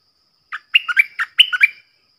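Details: Four caged decoy bulbuls, described as decoy birds from the real forest, calling. Heard as a quick series of about eight short, bright, chirping notes that step up and down, each note clipped and slightly slurred. The background is silent.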